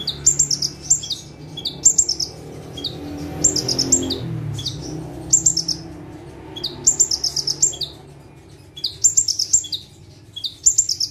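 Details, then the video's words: A bar-winged prinia (ciblek / prenjak tebu) sings full-out from a single spot while perched calmly: high, sharp chirping bursts of quick notes, repeated roughly every two seconds, over a low background rumble. "KONIN GACOR FULL TEMBAKAN - CIBLEK / PRENJAK TEBU"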